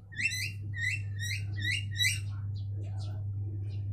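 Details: Mynas singing to each other: a fast run of five or six harsh, buzzy rising chirps, then softer scattered notes, over a steady low hum.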